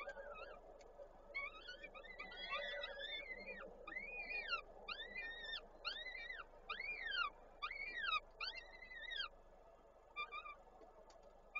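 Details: Peregrine falcons at their nest in Koszalin, 13 May 2022, as the male brings prey and the female feeds the young; a long series of loud, arched, harmonic squealing calls repeated roughly every half second, fading toward the end.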